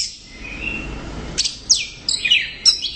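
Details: An orange-headed thrush singing loudly in the gacor teler manner, giving a soft warble, then sharp descending whistled slurs and high clipped chirps in a quick burst.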